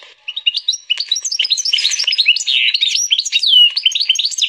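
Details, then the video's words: Hybrid of canary and Portuguese goldfinch pouring out a continuous, jumbled twittering song of quick high slurred notes. "Pintagol de canaria x pintassilgo português canta muito!"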